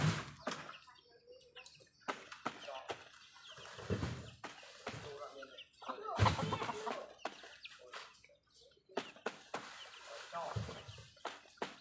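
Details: Backyard hens clucking while feeding, with a rooster in the flock; short low clucks and murmurs come in irregular bursts, mixed with scratching and rustling noises and some background voices.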